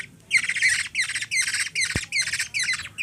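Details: A hungry young black-naped oriole being hand-fed by a three-year-old girl in the Philippines gives harsh, raspy begging squawks about twice a second, with a single soft thump partway through.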